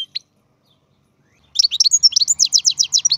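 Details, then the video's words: Captive-bred European goldfinch: a couple of isolated chirps, then after a pause a rapid, rhythmic stream of high liquid twitters that grows steadier and more repetitive toward the end. "Καρδερίνα εκτροφής (Goldfinch carduelis singing)"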